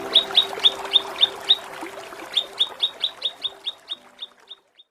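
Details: Kinoi 'ngepik' chipping for training contest birds: sharp high notes repeated roughly three to four times a second, fading gradually toward the end, with a faint low hum behind.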